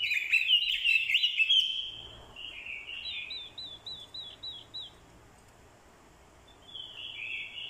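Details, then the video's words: Orange-headed thrush, a decoy bird, in fighting song, with a female's call used to provoke the male. A loud tumbling warble leads into a series of quick repeated up-down whistled notes, then a soft rising phrase. "Chim Quế lâm mồi, hót đấu cực hay. kèm tiếng quế lâm mái, kích trống hót đấu hay."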